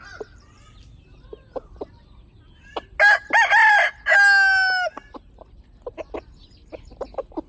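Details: Rooster crowing among chickens: a loud, broken crow in the middle, choppy then long and level, framed by quiet clucks and sharp little clicks before and after.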